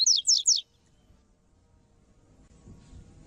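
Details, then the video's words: Coleiro (Double-collared Seedeater) tui tui song, recorded with a female to train males: three quick, descending, slurred high whistles in half a second, then low background rumble. "MELHOR COLEIRO TUI TUI PARA ENCARTE DE COLEIRO 🟢🟢 ÁUDIO COM FÊMEA"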